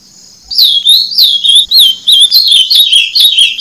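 An ultramarine grosbeak sings a rapid run of clear, warbled whistles, sliding up and down in quick connected phrases.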